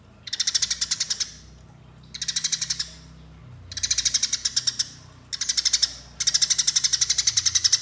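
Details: Eurasian tree sparrow giving its fighting call, used for luring, five bursts of fast, harsh chattering chirps, the last the longest at nearly two seconds, with short pauses between.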